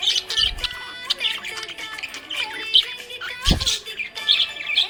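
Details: Cheerful budgie chatter: bursts of high, scratchy chirps and brief squawks in quick irregular clusters, with a couple of soft low thumps, set against a background of music.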